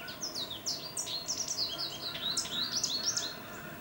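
An American goldfinch gives a rapid jumble of high, sweet twittering and slurred chirps, several notes a second, over faint background hiss.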